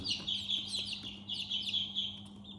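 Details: Chicks chirping: a continuous stream of shrill, short descending peeps from several young birds, backed by a low constant hum.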